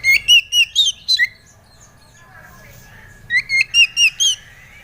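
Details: Oriental magpie-robin (kacer) song used as a lure to get an untrained kacer singing: two bursts of clear, rising whistled notes, five or six in each, separated by a two-second pause, with a faint low hum behind.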